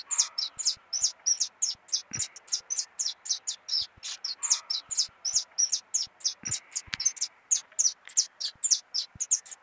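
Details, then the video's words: Long, tireless song of a canarinho pardo: dense, evenly spaced, high-pitched chirps running on at about four per second, occasional faint clicks beneath. "Canarinho pardo cantando muito"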